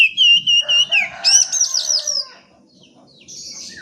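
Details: Oriental magpie-robin song to coax reluctant birds: a steady whistled note followed by a loud burst of rapid slurred and buzzy notes, then fading into quiet.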